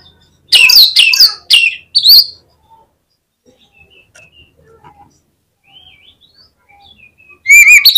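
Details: Oriental magpie-robin, a contest lure song: two bursts of loud, rich chattering whistles open and close the stretch, with a long near-silent pause in between holding only faint distant chirps.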